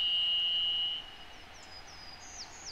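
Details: One of two Varied Thrushes singing at a meadow edge among lupins, with constant highway car noise: one long, steady, slightly buzzy whistle lasting about a second, then fading; faint, thin, high chirps, possibly a wren, follow.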